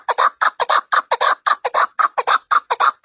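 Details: Partridge giving a fast series of grating, clucking notes, often paired, repeated in an even rhythm of about four to five per second against a quiet background.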